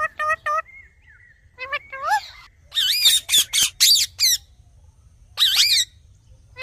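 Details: A ringneck parrot gives a few short tonal notes, a soft drawn-out tone and a bending call, then a burst of loud rasping squawks, a pause and one last screechy note.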